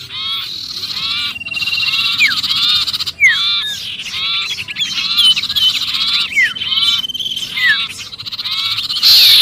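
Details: Sirpu distress calling meant to draw in other birds: dense buzzy scolding bursts interrupted by clear downslurred whistles and short gaps, continuing steadily throughout.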